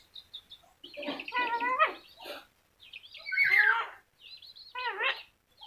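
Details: Talking yellow-crested cockatoo uttering several slurred, voice-like phrases with wavering tones, separated by short pauses and interspersed with soft clicks.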